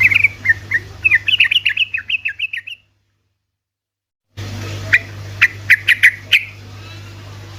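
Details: Sooty-headed bulbul in fast 'ropelan' singing, meant to set lazy bulbuls singing in reply: a dense, chattering run of bright notes, an abrupt silent break, then a few sharp, spaced chips over a low hum.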